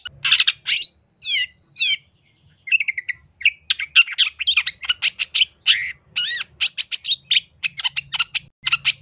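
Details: Long-tailed shrike in full energetic song with mimicked insertions for bird training: opening harsh notes and a few descending whistled slurs, then a dense rapid jumble of chirps, trills and squeaks.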